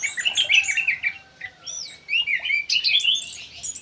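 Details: Ground thrush singing hard in an aviary, a rich, fast run of varied whistles, slurred notes and high twitters, with short pauses between bursts.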